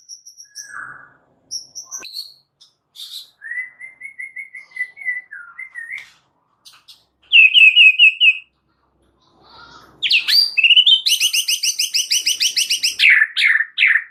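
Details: Murai batu, the white-rumped shama, in extra chattery gacor song full of varied phrases. Scattered high chips and a sustained level whistle lead to a loud rapid trill and a dense ringing buzzy rattle.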